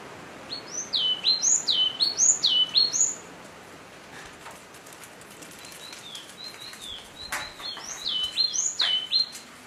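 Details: Yellow-cheeked tit calls within a social group: bright whistled, sharply rising-then-falling notes at high pitch, repeated in quick bursts at the start and again near the end, with fainter similar notes between over a soft background hiss.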